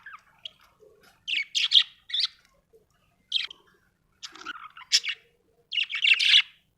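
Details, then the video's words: Happy budgie chirping: scattered short warbled and scratchy phrases, some squeaky rising notes, separated by brief pauses, in a quiet setting. "Happy budgie chirping sound"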